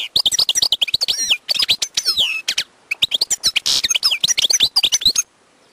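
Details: Wild European goldfinch singing a rapid, lively run of twittering, tinkling notes with liquid slurred whistles and a short buzzy burst, over about five seconds in a quiet setting.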